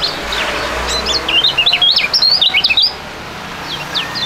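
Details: Two young fighting-type songbirds from Indonesian singing contests in duet: a fast run of high, sharply bent whistled notes lasting over a second, followed by quieter scattered chirps against low background noise.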